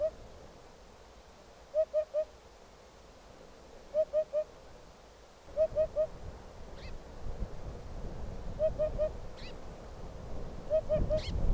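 A Eurasian hoopoe gives soft, low hollow 'oop-oop-oop' triplets about every two seconds. Background rumble builds midway, and faint higher calls from another bird break in.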